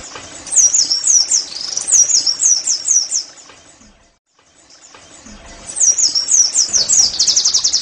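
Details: Oriental white-eye song meant to prompt caged birds to sing: high, thin downslurred whistled phrases in quick strings, a silent gap midway, then more looping whistles ending in a rapid trill.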